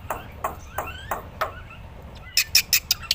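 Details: Black-winged myna song kept as a training recording for other songbirds: clear whistled notes with a gliding upward phrase about every third of a second, then a quick run of sharp, high, bright chips near the end.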